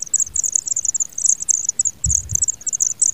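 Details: Young pipits calling as a parent feeds them: steady runs of very high, shrill chirps packed close together, pausing briefly at times, over quiet soft rustling.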